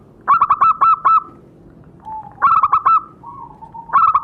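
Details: Zebra dove call played to provoke captive birds into calling: loud bursts of five or so staccato cooing notes, softer drawn-out coos between them, then a fresh burst starting near the end.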